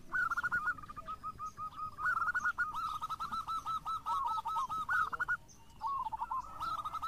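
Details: Local zebra dove singing a lure phrase: long bubbling runs of quick coo notes, a brief pause, then another rolling phrase starting up.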